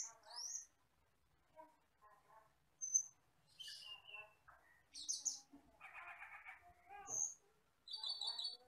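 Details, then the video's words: Common hill myna, a wild forest bird, in a varied song: clear high whistles and sliding notes alternate with harsh chattering bursts and harmonic rasps, separated by short pauses. "MASTERAN BURUNG HUTAN CAMPERLING (CUCAK KELING)"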